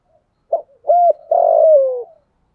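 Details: Single phrase from a decoy spotted dove with a 'thổ sấm' voice, calling to lure wild doves in the rainy season: a short coo, then a level coo, ending in a long drawn-out note that slowly falls.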